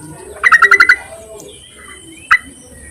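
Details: A call for males from a yellow-vented bulbul, played as a lure: a rapid run of six bright chattering notes, followed after a pause by one isolated note, over faint background chirping.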